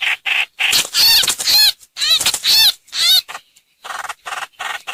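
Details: Harsh, bubbling chatter from a streak-eared bulbul giving a hoành hoạch lure call, in several loud bursts followed by quieter, softer notes.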